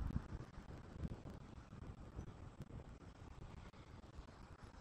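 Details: Quiet, low wind rumble and muffled engine-like noise, with no animal voice anywhere.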